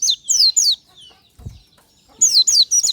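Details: Morning lure song of an Oriental white-eye: quick runs of high, sweet descending whistles, about four notes a second, broken by a pause and a faint low thump before the twittering resumes.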